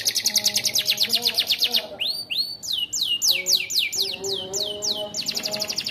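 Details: Canary song holding ciblek imitation notes: it opens with a rapid, rattling high trill, then gives clear, descending whistled sweeps repeated several times a second, and ends with another fast trill. Soft lower tones run beneath.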